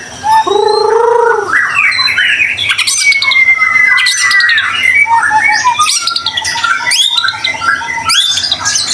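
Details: Trigger song of a white-rumped shama in full voice. A low mellow whistle opens, then a long run of varied sweeping notes, sharp chips and harsh rasps follows with short breaks.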